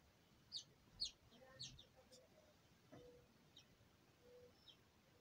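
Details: House finch nestlings close to fledging in 2020, parents preparing another nest: a quick series of thin, high chirps in the first two seconds, then fainter scattered chirps with soft low background sounds.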